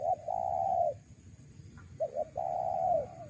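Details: Spotted dove lure call, repeated twice: each phrase a brief stutter of notes followed by a long, mellow, gently falling coo, separated by about a second of quiet hum.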